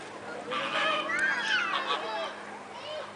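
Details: Captive flamingos at a zoo, a group giving nasal, honking calls with wavering harmonic tones, overlapping in a loose chorus that swells after half a second and fades toward the end.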